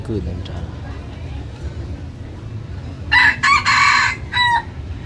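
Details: Young F2-line red junglefowl, recorded 23 December 2025, crows once after a quiet stretch: a loud, hoarse, broken call of several segments lasting about a second and a half. Faint human voice at the start.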